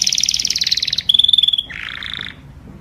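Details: Canary song given to call the flock: a rapid high trill, then a steady pure whistled roll, dropping into a lower buzzy warble.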